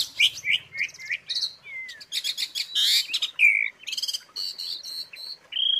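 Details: Asian pied starling filler song recorded as training audio for songbirds: a rapid, varied run of clear whistles, upslurred and downslurred notes and harsh buzzy bursts, tumbling one after another with brief gaps.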